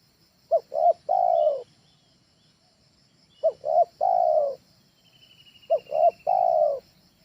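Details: Trained spotted dove (tekukur ajaran) for luring at home: three identical phrases, each two quick short coos then one longer falling coo, about every 2.7 seconds. Quiet background with a thin high hiss.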